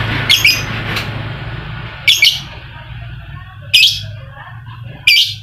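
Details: Lovebird calls used as a lure to provoke reluctant lovebirds into singing: four sharp, harsh, buzzy chirp bursts, each a quick double note, spaced about one and a half seconds apart over a low steady hum.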